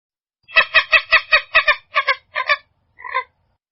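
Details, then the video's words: Purple gallinule giving a series of about ten harsh, nasal, harmonic cackling notes, steady at first and then slowing and spacing out, the last notes weaker, in a quiet setting with no other sounds. "Som limpo do canto🎵 do Frango d’água azul"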